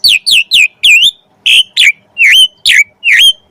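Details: Lure song of an Asian pied starling to get other starlings singing: nine loud, slurred whistles, each dipping then rising, delivered in a quick uneven series.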